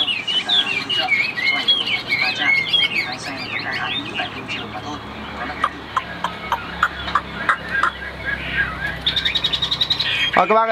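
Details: Chinese hwamei, white-winged and white-tailed, kept as a cage bird, begins with rapid whistled warbling, then shifts to sharp clipped notes and a fast rattling burst near the end.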